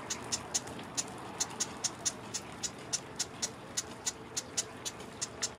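A marsh wren gives a long run of sharp, high ticking notes, roughly three a second and slightly uneven in pace, over a steady background hiss.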